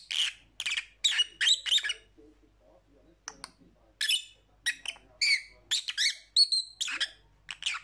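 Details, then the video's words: Lovebirds giving shrill, harsh chirps and squeaky notes in quick bursts, with a short lull near the middle before the chatter resumes, busy and overlapping to the end. "Lovebird Sounds"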